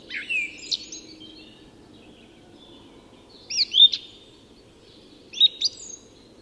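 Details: Loud, clean song thrush phrases at dawn, Tyresta National Park, Sweden: three separate bursts of looping, whistled high notes a couple of seconds apart, with quiet between them.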